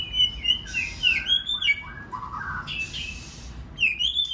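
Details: White-rumped shama, recorded to provoke other shamas into song: a fast medley of looping whistles, harsh buzzy bursts and lower warbled notes, ending in rising whistles.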